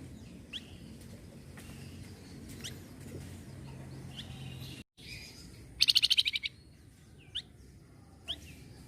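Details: Flamboyan bird, said to answer at once when it hears noise, gives one loud burst of about seven rapid buzzy pulses midway, with scattered thin high chips before and after over low steady background hum.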